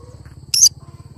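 A cinnamon green-cheeked conure gives one short, harsh, high-pitched squawk lasting about a fifth of a second, over a faint low hum.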